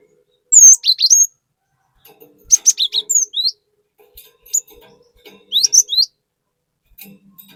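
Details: Cinereous tit singing 'gacor nembak' as a lure recording. High, quick bursts of sharp chirps and down-slurred whistles, four phrases spaced about a second or two apart, faint low murmur between them.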